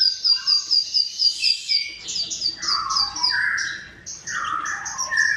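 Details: Bar-winged prinia song used for training cage birds of all kinds: a fast series of sharp, high chirps at a steady pace, then buzzy lower phrases mixed with high notes.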